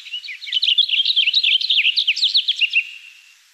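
Cassin's Finch giving a rapid, jumbled warbling song of bright slurred notes, about three seconds long and fading out at the end; no other sounds.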